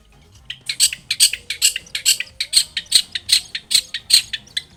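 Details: Long-tailed shrike in lively song, used as a lure to start other shrikes singing: a steady series of harsh, buzzy high notes, roughly two or three per second.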